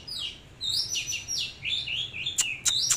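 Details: Oriental magpie-robin singing as it dances in display, giving sweet slurred whistles that rise and fall, some rich and descending, ending with a few sharp clicking notes.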